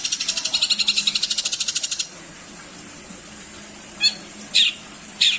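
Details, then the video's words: Long-tailed shrike singing a filled-out song meant to teach other songbirds: a rapid pulsed rattle for two seconds, a short pause, then three separate harsh, scratchy notes spaced about half a second apart. "Cendet gacorr full isian... untuk masteran berbagai burung burung kicau anda"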